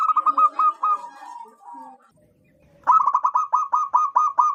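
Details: Wild local zebra dove with a big, loud voice, used for luring wild zebra doves: a fast cooing run that slows and fades into drawn-out notes, a pause, then eight evenly spaced bright coos.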